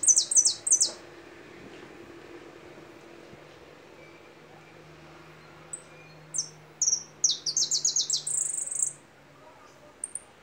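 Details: Goldfinch song opening with a burst of rapid high chirps, a long pause, then scattered thin notes building into a dense twittering run and a short buzzy trill.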